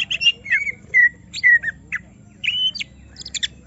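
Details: An emotionally stirred greater green leafbird sings short bursts: squawky notes and drawn-out falling whistles, a quiet gap, then a long level whistle and scattered sharp chips.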